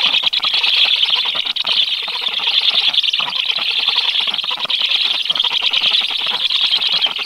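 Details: 13 July, black stork chicks in the nest chirping eagerly as a strange adult stork lingers near; a sustained, shrill, rapid chatter with no pauses across the whole stretch.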